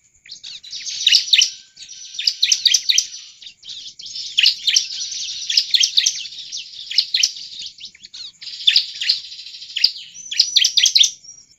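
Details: A bar-winged prinia in full song, used as a lure to draw song from other prinias, sings loud, high, scratchy bursts of rapid chirps in phrases about a second long, repeated with hardly a pause.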